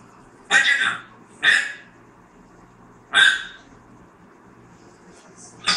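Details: Parrot sneezing: short, explosive, breathy bursts, two about a second apart, then a third after a longer pause, with another starting at the end, over a faint low hum.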